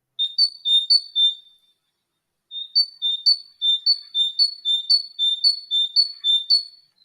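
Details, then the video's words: In an autumn forest, a tit sings bright, high two-note whistles, high then slightly lower, repeated briskly about twice a second: a short run, a pause, then a longer run. "Це співає синичка."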